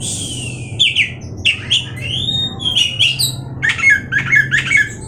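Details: Oriental magpie-robin, Indonesia, with long sliding whistles followed by short scratchy chattering notes, against constant low background hum.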